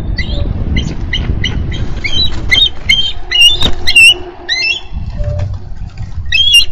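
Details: From a Minnesota nest cam, 3 May 2013: a female bald eagle calls for her mate to take over nest duty. Rapid high chirps and squeaky piping notes in quick runs, with scattered clicks and a low rumble behind them.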